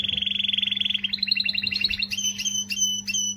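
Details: Canary song meant to motivate females: a fast trill of rapid repeated notes, then slower rising-pitched chirps in separate clusters, with a steady low electrical hum throughout.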